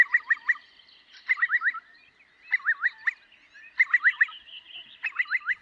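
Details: Eurasian curlew producing clustered groups of three to four fast, upward-sweeping bubbling notes, repeated roughly every second in a steady rhythm with no other sounds.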